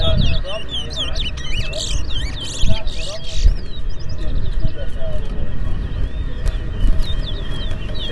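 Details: Towa towa seed finch singing during a 2024 whistling competition at Port Mourant, Guyana: a burst of rapid chirps and buzzes for the first few seconds, then sparser whistled notes, under men's voices and low hum.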